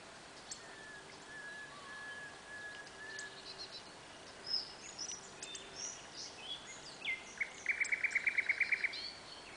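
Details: Common greenshank (Tringa nebularia) calling near Lučenec, Slovakia: faint level whistles, then a quick run of about a dozen clipped, ringing notes, with other small birds chirping high in the background.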